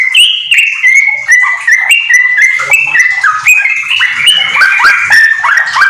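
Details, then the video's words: Yellow-vented bulbul in lively, rapid song enriched with white-rumped shama phrases, used as tutoring material for home-kept bulbuls; a flowing series of clear whistles stepping up and down, with quick dropping slurs throughout. "trucukan gacor ISIAN MURAI TERBAIK untuk masteran"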